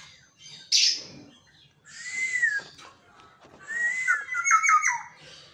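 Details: Caged pet Black-naped Oriole with a characteristic whistle: a harsh squawk, then a smooth rising-and-falling whistle, then a longer liquid phrase of rolling notes that tumbles downward.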